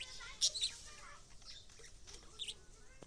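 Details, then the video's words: Lovebirds giving a few short, shrill, high-pitched chirps in quick bursts near the start and again about two seconds later, with faint background rustling and low noise between calls. "Love birds making lovEly square..."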